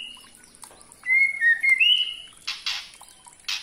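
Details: White-rumped shama singing a short run of clear, sliding whistles, then a few harsh, rasping bursts, over a steady high-pitched hum; meant as a lure recording to set spotted shamas singing.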